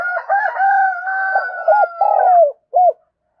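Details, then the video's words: Spotted dove used as a decoy, calling to draw in new wild doves. Cooing notes run under a long steady higher tone, ending in a drawn falling coo and one short separate note. "Tiếng Chim Cu Mồi Thúc Và Gáy Gọi Bổi Mới"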